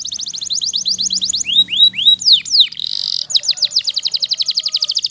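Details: Waterslager canary in song: quick rattling trill, then slower looping downward whistles, a brief buzzy rolling passage, and a final run of rapid slurred notes, all bright and high; slight background hum.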